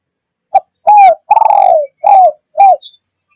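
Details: Spotted dove cooing as a lure for trapping wild birds: a soft short note, then a rounded coo, a long drawn-out falling coo, and two more arched coos in a steady, low, clean series.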